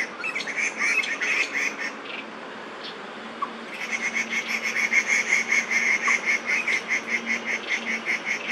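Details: Crested goshawk alarm calls from two males in a territorial dispute, Daan Forest Park, 30 September 2022: a fast, steady series of sharp, repeated notes about two and a half per second, after a brief lull, over faint background noise.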